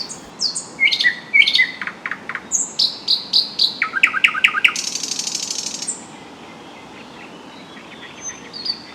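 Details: A Thrush nightingale sings very loudly from inside a shrub by a lake in spring (April–May), hard to see. It gives varied phrases of sharp whistles, clicks and a fast rattling trill in quick succession, then quieter background.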